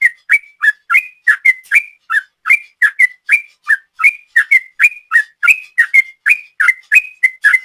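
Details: Sooty-headed bulbul singing a long 'ropel' style song used as a lure: rapid run of clear whistled notes, alternating slightly rising and falling, about three per second with no pauses, no other sounds.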